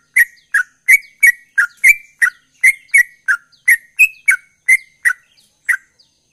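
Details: Sooty-headed bulbul in busy gacor song: brisk repeated slurred whistles, about three per second, with small gaps toward the end, pitch shifting between falling notes and a single higher rising one.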